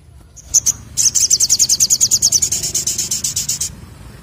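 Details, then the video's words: Active 'ngleper ngalas' song of a Crimson Sunbird: two quick high chips lead into a long, fast trill of thin, piercing notes repeated about five per second for nearly three seconds, holding steady pitch before stopping abruptly. "Sogok Ontong Gacor Ngleper Ngalas"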